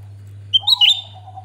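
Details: Grey-bellied bulbul, a singing bird used as a lure to trigger others to sing: a bright, sharp whistled phrase with hooked notes, over a lower wavering whistle and a steady low hum.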